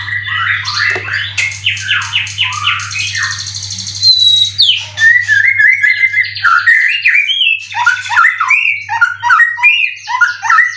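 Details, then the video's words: A caged white-rumped shama kept for song contests in Indonesia pours out a long varied song: fast descending chirps, buzzy high rattles, sharp whistles and repeated two-note phrases, with a faint low hum early on. "Burung Murai prestasian udh kondisi 90% materi full clilin siap turun Lg!"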